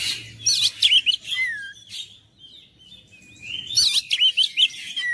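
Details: Oriental magpie-robin song to goad silent birds into singing: two bursts of rapid, looping whistles and chirps, with a downward-sliding whistle and a quiet gap between them.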